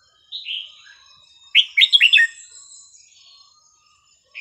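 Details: Red-whiskered bulbul song used for teaching young birds: a whistled opening note, then a burst of four quick bright warbled phrases rising and falling, with a faint background hum.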